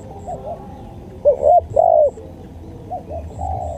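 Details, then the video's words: Spotted dove masteran recording: a single clear cooing phrase of two hooked notes and a longer falling coo in mid-clip, with fainter, more distant coos before and after and faint high chirps. "MASTERAN SUARA TEKUKUR"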